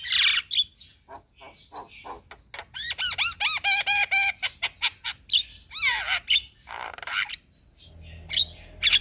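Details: Javan myna singing as a lure for stressed or non-singing captive mynas: harsh squawks, then a fast run of nasal, harmonic rising-falling notes, followed by scratchy calls and sharp chips.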